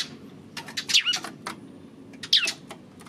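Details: Eurasian tree sparrow, 28 May: two or three separated high chirps with a downward slurred tail, scattered across a few seconds with faint background hiss between them.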